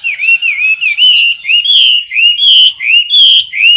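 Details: Caged Chinese hwamei singing in competition style, recorded close to the cage: loud, clear whistled phrases that rise and fall, each about half a second long, repeated almost without pause in a rolling series.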